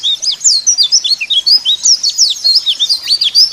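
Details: Lure recording of white-eye song for caged birds: continuous fast, thin, high chatter of sweeping whistled notes, rising and falling quickly, several notes each second without pause.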